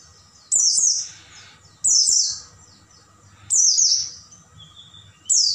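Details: Night-time Oriental white-eye song used to train caged birds: four short, loud bursts of high, downward-sweeping twitters, repeated roughly every one and a half seconds with faint background hum between.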